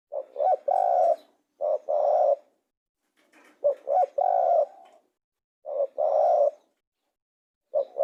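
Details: Repeated coo phrases from a spotted dove, each a short double note leading into a longer, steady low coo, given roughly every two seconds.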